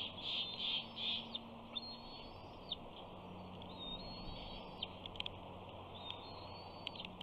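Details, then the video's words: Bald eagle eaglet at a Big Bear nest on 28 June 2019, screeing for fish as its father flies in and perches above while the mother eats; a few loud opening notes, then drawn-out high whistles with bent ends, repeated, over soft background hum. "Simba Screes!"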